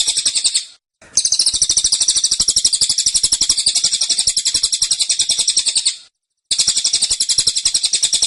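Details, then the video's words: Rapid, dense burst song of a cililin: high piercing trills of closely spaced notes in three runs, the middle one about five seconds long. "Tembakan Cililin Suara Rapat Dan Ngotot"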